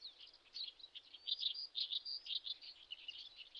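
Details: High, sharp chirps of spoon-billed sandpiper (Calidris pygmaea), rapid and uneven at about two notes per second, some short clear whistled peeps standing out from a steady twittering background.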